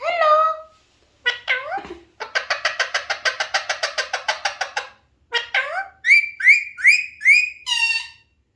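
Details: Talking Alexandrine parakeet: nasal spoken-like syllables, then a long fast series of about fifteen even rasping notes. More nasal calls follow, ending with four quick repeated whistled hoots that rise and fall.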